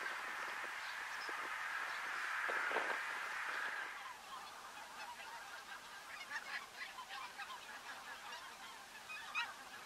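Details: Greater white-fronted goose (Anser albifrons) flock at Workum, Netherlands, February 2014: a dense chorus of high, yelping, laughing calls, loud and overlapping at first, then thinner, rapid clusters of yelps.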